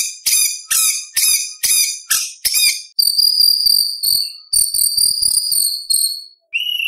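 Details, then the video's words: White-rumped shama (murai batu) in full contest-style song with tembakan bursts: rapid buzzy high rattles, then long sustained high whistled notes with shimmering overtones, ending in a lower whistle. "Murai Batu Gacor Full Isian ~ Full Tembakan Materi Lomba - Masteran Murai Trotol Tembak Beset Roll"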